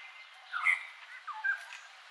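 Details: Common myna (Acridotheres tristis) at Wilpattu, Sri Lanka, 26 February 2019, giving a couple of short, harsh chattering notes mixed with a brief whistled phrase, over a steady background hiss.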